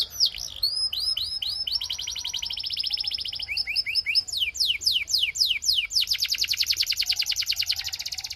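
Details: A Belgian canary (Serinus canaria domestica) sings a fast, high song of sweeping whistled notes and rapid rolling trills, shifting between phrases several times a second.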